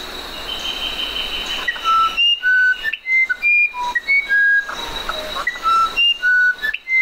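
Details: Musician wren delivering a long sequence of clear, flute-like whistled notes at varied pitches after an opening of steady background hiss and hum.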